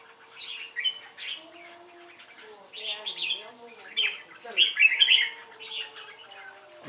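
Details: Red-whiskered bulbul in competitive singing: short bright warbled phrases of two to five notes, spaced by pauses, with steady tonal hum and faint music in the background.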